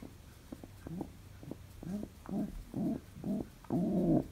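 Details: Pet pigeon, described as very happy, kept indoors; soft low grunting notes build into longer throaty coos with a rising then falling swell, growing louder toward the end.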